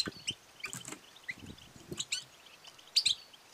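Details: Female European goldfinch twitter calls, the batbata and satsata style used to stimulate males to sing and mate; short high chirps scattered throughout, a loud cluster near three seconds, with low knocking noises.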